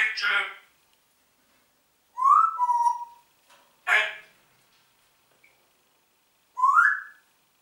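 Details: Talking Congo grey parrot indoors saying "Guten Morgen": a few isolated speech-like bursts and rising whistled notes separated by silence.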